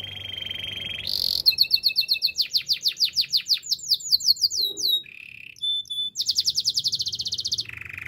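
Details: Canary singing a song meant for training and coaching other canaries: a varied sequence of steady high tones, rapid repeated descending notes, short pauses and a final fast rattling series of high sweeps.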